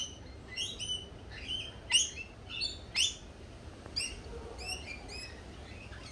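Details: Lorikeets at a cafe chirp briskly, bright harmonic squeaks repeated roughly once a second, a few louder notes standing out, over a soft low rumble.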